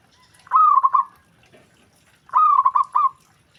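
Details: Zebra dove known locally as perkutut, prompting other doves to reply immediately; two loud trilling coo phrases, each several fast throaty pulses ending in a drawn-out note, about two seconds apart.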